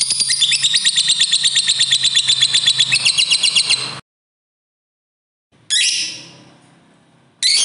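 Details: Fighter lovebird giving a long ngekek trill to prompt other lovebirds to sing: rapid, even chattering notes about ten per second for four seconds, a pause, then harsh rasping bursts.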